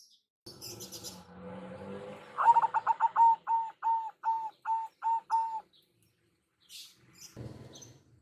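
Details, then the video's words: Local big-voiced zebra dove lure song over a low background hum and rustling: a quick rattle of short notes that stretches into evenly spaced, hollow coos, followed by a dull thump. "Perkutut Lokal Suara BESAR ISTIMEWA"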